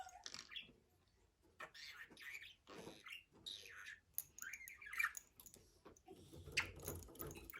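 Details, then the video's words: Pet budgerigar giving rasping squawks mixed with twittering, wavering warbles in an uneven run, with a soft rustling background. "MUHABBET KUŞU | DİNLET KONUŞSUN"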